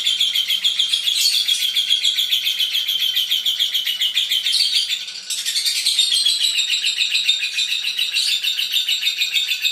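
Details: Lovebird 'ngekek panjang', an extended rattling chatter of quick shrill notes pouring out almost without pause, one short break at about five seconds, otherwise quiet surroundings.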